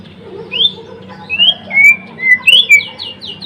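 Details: Energetic song of a white-rumped shama, Blorok type: a series of clear whistled notes, some rising and some falling, spaced about half a second apart, ending with quick descending slurs.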